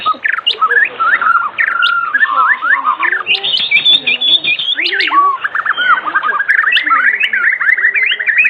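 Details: White-rumped shama in vigorous evening song, played as a lure for other shamas: loud, varied whistled phrases with sharp upward flicks and scratchy notes, ending in a fast rattling trill.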